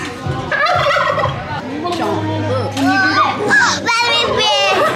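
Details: Turkey at a fair giving a rapid, quavering gobble, a bubbling rattle in short bursts, near rabbits, with people talking nearby and a low mechanical hum.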